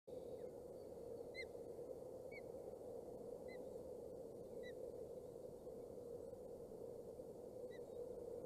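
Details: Osprey at a nest in Boulder County, filmed by a nest camera during the second feeding on 27 May 2018; short, high, upslurred whistled chirps repeated roughly once a second over a steady low hum.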